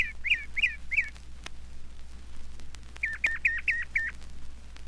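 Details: Northern Mockingbird in Florida, a mimic of other birds and of its surroundings that sings through the night, giving bright whistled phrases, one repeated three times quickly, then a new phrase repeated five times, over a low steady hum.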